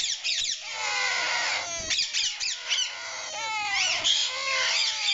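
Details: Squawking from a breeding pair of rose-ringed parakeets kept with their chicks: loud, grating, overlapping calls with frequent harsh bursts and wavering tones, continuing steadily through the whole stretch.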